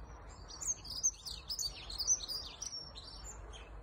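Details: A dunnock singing at the edge of a reservoir gives a fast, high, squeaky, metallic warble of jumbled notes for about three seconds, over a faint low rumble.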